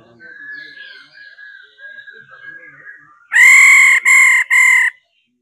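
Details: Soft distant warbling from other birds gives way to a female laughingthrush's 'ro' call, which spurs males to sing: three strong, rasping nasal notes close together.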